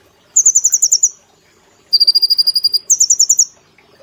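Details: Caged brown-throated sunbird singing in the lively rapid-fire style, as a master recording for training cage birds: three quick bursts of very high, sharp, evenly spaced notes, like a fast ticking trill, separated by short silences.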